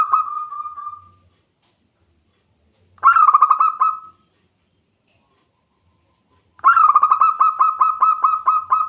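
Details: Zebra dove song for coaxing birds into fast singing: the tail of one cooing phrase, then a short rapid stuttered phrase and a longer rolling series of even, rapidly repeated coos, with clean silent gaps between.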